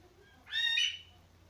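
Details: Male Himalayan monal (Lophophorus impejanus), kept with two females at a pheasant breeding farm, gives a single loud, shrill, harmonic note of about half a second, briefly rising at the end, over a quiet low hum.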